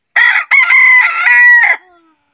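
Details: Daytime crow of a chicken, loud and close: a short first syllable, a quick gap, then a long, hoarse, sustained middle section that ends with a rough final burst and fades out softly.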